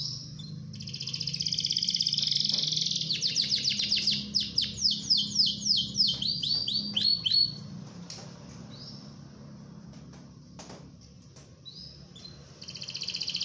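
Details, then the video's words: Canary in rolling song, used as a training recording for other canaries: a sustained high buzzy trill swells into a run of rapid descending rolled notes for about five seconds, then quieter scattered chirps follow against a faint low hum. "KENARI GACOR NGEROL BAGUS UNTUK MASTERAN KENARI"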